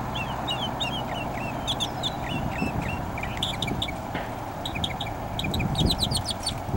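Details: Mockingbird singing a long song: a quick run of varied chirped and whistled phrases, each note type repeated several times before switching to another, some sharp and high, over a steady low rumble of background noise.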